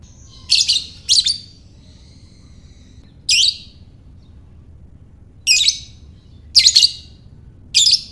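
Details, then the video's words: Lovebird calling to draw out other lovebirds: six shrill, scratchy, stuttering bursts across eight seconds at uneven intervals, some close in pairs, each bright and piercing, with a low steady hiss beneath. "Lovebird Ngekek"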